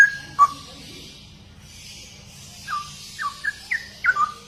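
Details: Straw-headed bulbul (cucak rowo) song: two clear whistled notes, a pause of over two seconds, then a faster series of short descending liquid whistles, somewhat quieter than the other clips.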